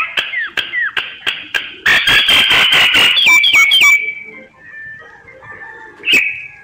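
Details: Myna lure for bird surveys: spaced clicks with downward whistled slurs, a long loud harsh rattling burst, then sliding whistled notes, faint murmurs and one final rasp.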